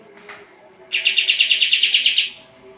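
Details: A Sooty-headed bulbul (kapas tembak), used as training song for competition birds, gives a single quick series of about twelve bright clipped notes in roughly one and a half seconds, then falls quiet; faint low hum.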